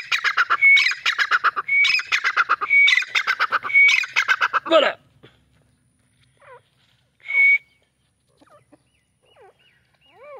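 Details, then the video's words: Black francolin, known locally as teetar, calling: a loud run of harsh, grating, buzzy notes with sharp whistled accents lasting about five seconds, then soft short squeaky notes and one more brief grating burst. "Dakni teetar irani teetar ki awaz"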